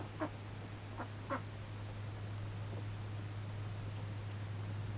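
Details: Male mallard kept as a pet and being trained to perch on a hand. Three short, soft calls come within the first second and a half, then quiet, over a steady low electrical hum.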